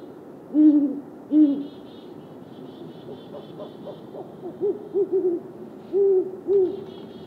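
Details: A male and female great horned owl call back and forth, two long deep hoots opening, then clusters of shorter lower hoots, with a faint high chittering running through much of the exchange.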